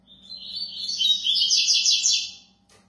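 A double-collared seedeater sings a rapid, high-pitched twittering phrase of about two seconds, with dense trills and chirps; a faint low hum underneath.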